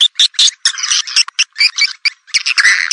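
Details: Swiftlet calling sound used to attract swiftlets: high, buzzy twittering chirps in irregular bursts, some short and clipped, others longer chattering runs, with brief gaps between them and no other sounds.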